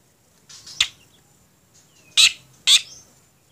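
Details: Tame, noisy black drongo giving three harsh, broadband chirps: a softer buzzy note near the start, then two loud, abrupt bursts about half a second apart, with near silence between them.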